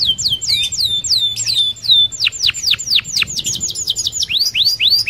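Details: Canary singing a fast rolling song meant as a lure to get other canaries singing: rapid high downward-sweeping whistles, several per second, then a burst of quick steep notes and closing rising slurs, with a faint low hum.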